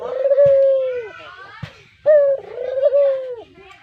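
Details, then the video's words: Spotted dove (brown puter), a pet songbird valued for its sweet, distinctive voice and played as a lure: two drawn-out, even coos, the second longer and slightly wavering, separated by a quieter gap with faint clicks and knocks. "Suara Merdu Burung Puter Coklat, Cocok Buat Pancingan"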